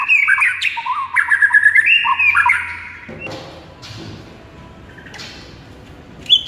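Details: Lively morning masteran song from a White-rumped shama: quick jumping whistles and warbled notes for about three seconds, then a quieter stretch of faint distant notes and a sharp closing note.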